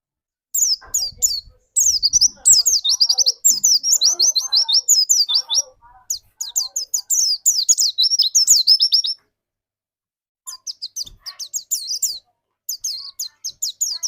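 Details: Long stretch of white-eye pancingan song used to get other white-eyes singing fast 'nembak': dense, rapid, high twittering downslurs running for seconds, breaking off in a clear gap, then resuming in shorter bursts.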